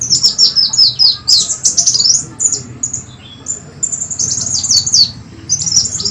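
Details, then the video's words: Sunbird lure sound, clean and used to attract birds: rapid high thin chirps and short descending twittered phrases in quick bursts, with a brief quieter gap midway and a low steady hum underneath. "Suara pikat dan pancingan burung kolibri wulung,kowul suara bersih"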